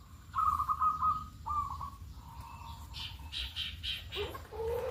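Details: Local zebra dove on a morning calling lure: a long trilled coo followed by shorter falling coos, then a burst of higher notes from other birds and a lower wavering call at the end.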